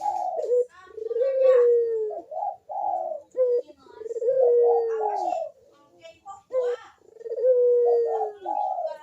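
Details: Barbary dove cooing steadily as a lure for lazy doves: repeated phrases of a long, low, gently falling coo followed by short bubbling double notes, about every three seconds.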